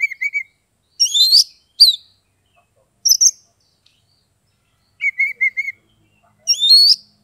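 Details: Ngeplong-style song of a kept Oriental magpie-robin (kacer), Kebumen, Central Java, Indonesia. Low, even whistled notes alternate with high rising whistles and sharp chips, in short phrases spaced about a second apart.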